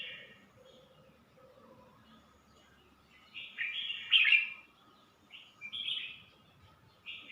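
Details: Red-whiskered bulbul singing in Suan Phueng, Ratchaburi, Thailand: quiet start, then a loud bright warbled burst, a shorter phrase and another brief note, over faint steady hum.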